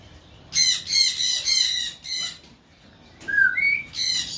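Green-winged macaw giving harsh, raspy squawks in quick bursts, with a couple of short rising whistled notes near the end.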